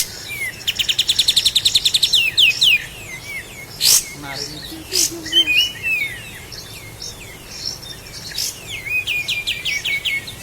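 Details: Master song of a Sooty-headed bulbul from Lahat, meant for training cage birds: it opens with a fast, dense trill of chirps, then turns to scattered whistles and clicks and ends with another chirping run.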